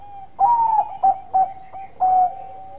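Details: Bangkok perkutut (zebra dove) cooing loudly to invite rivals to respond: a long falling whistled note, two short stuttered notes, then another drawn-out, gently falling coo, all close and clear.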